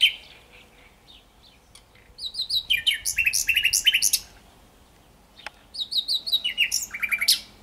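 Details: Song of a common nightingale: two loud phrases of rapidly repeated, rattling notes, each phrase a run of evenly spaced, sharp units at high pitch, separated by a quiet gap with a single click.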